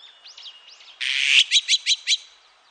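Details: Azure-winged magpie (Cyanopica cyanus) call, recorded 2020: faint rising notes, then a harsh rasping screech and five quick, bright 'kwi' notes about five per second.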